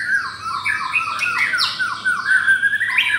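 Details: Caged pastel blorok white-rumped shama matched against an adult rival; dense overlapping whistles sliding down and up, slightly harsh and squealing.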